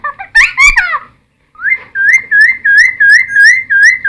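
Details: Cucak timor in full, varied song, used as a lure and tutor recording for wild-caught birds: harsh slurred notes, a short pause, then a steady run of looping whistled phrases repeated about three times a second.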